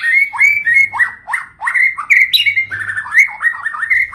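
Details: White-rumped shama song played to prompt silent captive shamas. A repeated pattern of short upswept whistles, each ending on a steady clear note, runs through the clip, with brief high chips and a faint low hum.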